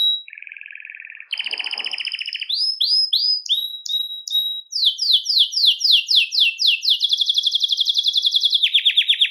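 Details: Belgian canary singing to stimulate males and bring females into breeding condition. A low buzzy trill, then varied tours: repeated upswept chirps, descending slurred notes in sequence, and a fast high roll that falls at the end.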